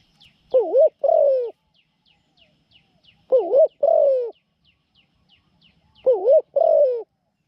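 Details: Captive spotted dove used as a decoy to lure wild doves into a trap: three evenly spaced wavering double coos, about every three seconds, with small birds chirping steadily in the background.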